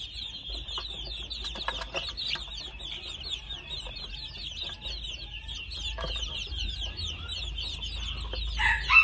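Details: Red junglefowl chicks two months of age call in a busy, high-pitched chorus of quick falling peeps, with scattered clicks and knocks and a louder squawk at the very end.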